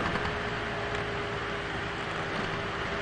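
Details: Dense, even engine rumble and hiss from a moving vehicle fill the whole stretch, with no animal voices.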